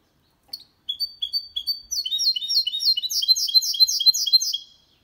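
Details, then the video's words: Song of a goldfinch-canary hybrid, clean and without errors, played to encourage males to sing and for young birds to memorise; a few sharp whistled notes accelerating into a long rapid rhythmic trill of high chirps. "Mixto de Jilguero Cantando Limpio 2022 para Estimular"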